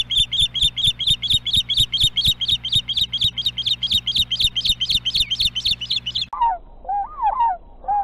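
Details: Ospreys at the Hellgate Canyon nest in Missoula, Montana, on a nest camera, July 29, 2016, the pair returning after a day's absence: sharp high chirps repeated about twice a second for six seconds, then lower slurred whistled notes over a steady hum.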